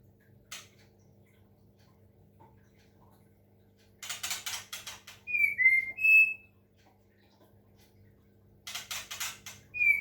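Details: White-rumped shama from Medan given water-sound therapy; long quiet stretches broken by bursts of dry rattling chatter and a couple of brief clear whistled notes.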